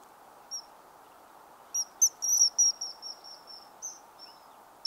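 A common kingfisher gives shrill, very high, thin whistles, some clipped and some drawn out, in an irregular burst over a steady rushing wash like flowing water.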